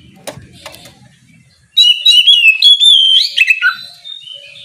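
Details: An Oriental magpie-robin sings ngeplong style in the morning to goad rivals: after faint clicks, a loud two-second run of clear whistled notes and trills that slide down, then fade to soft calls.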